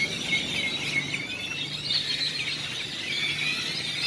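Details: Grackles crowding a town square in coastal Celestun, Mexico, where they were fed every morning: overlapping high squeaky whistles and sharp chattering notes from a whole flock, with a faint low hum beneath.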